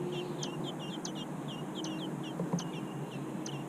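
American robin nestlings give thin, high chirps in quick overlapping bursts, several voices calling about twice a second over a low steady rumble.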